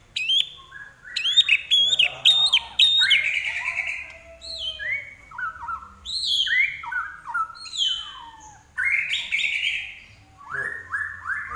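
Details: Common iora in full, vigorous song: sharp high chirps at the start, then a long run of descending whistled slurs and short bright notes, delivered in bursts with brief pauses between phrases.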